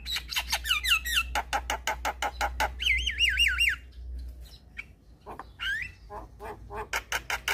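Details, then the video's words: Black-winged starling song aimed at getting lazy, stressed starlings to answer: quick harsh rasping strokes alternate with rolling, wavering whistled trills that rise and fall rapidly, then more scattered grating notes and a bent whistle. "Jalak Kebo Stres MAlas Bunyi Langsung Nyaut Dengar Suara Burung Jalak Kebo Ini"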